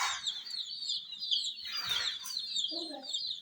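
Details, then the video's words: Hen chicks near miniature toy jeeps, cheeping nonstop in a thin, high chorus of overlapping peeps, with a few lower clucking notes near the end. ""Chicks Chirping" Sound"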